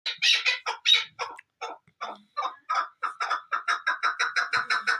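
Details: Chukar partridge giving a rapid run of harsh, clucking chuk notes, irregular at first, then settling into an even, accelerating series of about a dozen regular notes at the end.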